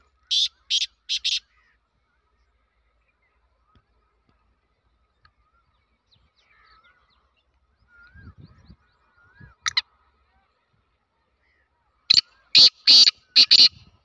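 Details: Black francolin giving a series of harsh, grating notes, first three in a quick burst, then after a quiet gap a longer run of five or six loud buzzy notes; brief other bird notes and low rustling between.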